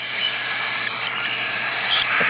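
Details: Twelve hand-fed baby cockatiels give a steady, hissing begging chorus, much like white noise, in the morning when ready to be fed breakfast.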